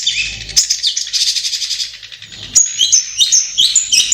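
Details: Long-tailed shrike singing in its natural habitat: a buzzy chattering run, a short pause, then a series of clear high whistled notes alternating with lower scratchy phrases.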